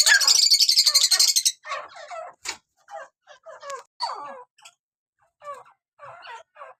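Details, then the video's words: A breeder pair of Dakhni partridges (teetar) gives a series of short, varied chirps and chattering notes about four per second, after an opening burst of harsh, rasping noise. "Dakhni teetar bredar pair bht he beautiful sound mn"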